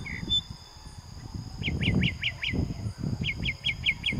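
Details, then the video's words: Wild nightingale (ruiseñor) singing on an open plain behind a house in the town of Florida, heard while walking. Two quick series of about five identical clear, downslurred whistled notes, separated by a short pause, over low rumbling wind and footstep noise. "Ruiseñor cantando"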